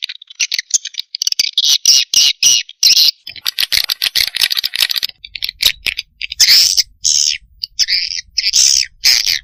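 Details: Swiftlet calling sound used as a lure to draw swiftlets in: dense high buzzy twittering in long bursts, broken by short pauses, with a faint low hum underneath.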